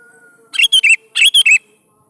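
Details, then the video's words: Singing sooty-headed bulbul, a lure recording meant to prompt young bulbuls to reply: two rich phrases, each of three clear slurred whistles falling at the end, about half a second apart, with a low background hum. "PANCING SUARA BURUNG KUTILANG GACOR"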